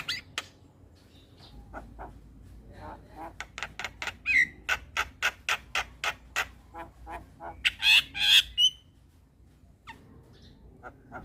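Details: Javan pied starling singing in the morning, a model for young starlings learning the song: rapid series of harsh broadband notes, some whistled rising and falling notes near the middle, then quieter scattered notes.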